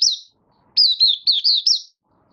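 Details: Captive Oriental white-eye from Malaysia, lightly moulting and building form, August 2023. One brief chirp is followed after a short silence by a smooth, rapid chain of five warbling high notes.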